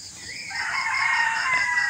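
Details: An adolescent rooster, recently a chick and now starting to crow, calls on an early morning: a long, rising then sustained hoarse crow lasting well over a second, with crickets chirping rhythmically behind it.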